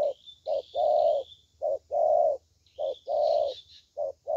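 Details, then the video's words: Spotted dove with a good voice, described as a 'thổ tơ', giving deep mellow coos in a steady pattern of a brief note then a drawn-out purring one, repeated about once a second, faint high twittering behind. "Thổ Tơ Tốt Tiếng"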